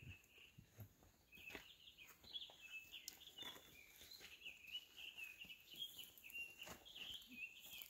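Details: Townsend's solitaire (Myadestes townsendi) sings a long, rambling run of bright, quick warbled notes without pauses at Bluff Lake, Big Bear, California, on June 14, 2019; faint footsteps and rustling close by.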